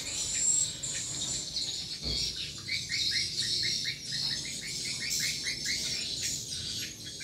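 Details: Swiftlet lure call at a small swiftlet house, drawing a strong response: a rapid train of short, clicking chirps repeats several times a second over a continuous high, shrill twittering wash.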